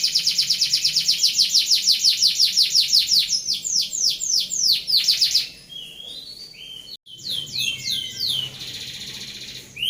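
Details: Canary singing a rolling 'ngeroll' phrase used as a tutor for other birds: long run of rapid, even, high falling notes, then softer looser sweeps, a brief break, and a final series of curved whistles.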